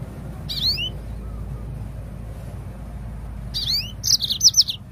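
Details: Yellow-fronted canary singing as a lure for other birds: two slurred, rising whistled phrases a few seconds apart, the second followed by a fast burst of bright, high, clipped notes, with faint low background noise.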